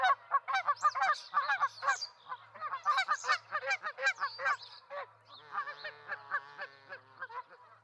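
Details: Ospreys, a pair tending two eggs at a nest in Charlo, Montana, 08/05/2019, give fast bursts of sharp, ringing chirps for five seconds, then a thinner, even series of lower, evenly spaced notes, with a faint background hum.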